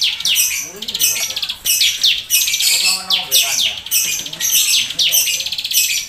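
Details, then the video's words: Bar-winged prinia song in the nembak keteran style, used for tutoring and prompting birds to sing: repeated bursts of shrill, rapid chirping phrases about once a second, interspersed with faint lower warbled notes. "Ciblek Sawah Gacor Full Nembak Keteran||Sangat Cocok Buat Masteran dan Pancingan Bunyi"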